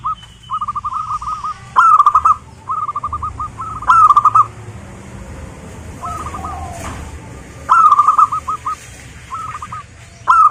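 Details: Zebra dove song used as a lure to prompt local zebra doves to sing: bursts of rapid, staccato cooing trills at mid pitch, each phrase about half a second long, repeated every two seconds or so, with softer phrases between the louder ones.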